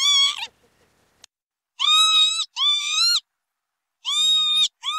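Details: Northern lapwing giving a quick run of nasal, mewing calls, several close together and then another pair, each level and buzzy, against a silent background.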